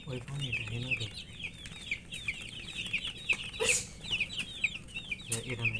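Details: Many domestic chickens' chicks, coloured chicks in poultry rearing, chirping from thirst for drinking water: dense overlapping high, rapid peeping chirps, each a short downward-curving whistle, continuous through the clip with occasional low clucks and bumps.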